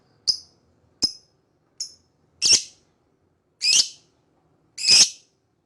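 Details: Lovebird giving sharp, high chirps, about one every second, starting as short clean notes and growing into longer, harsher, louder squeaks toward the end; quiet background.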